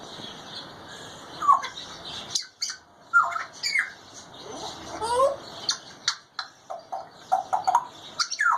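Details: A caged grey parrot talking and chattering: a run of squawks, whistled notes and speech-like babble in short bursts tumbling over one another.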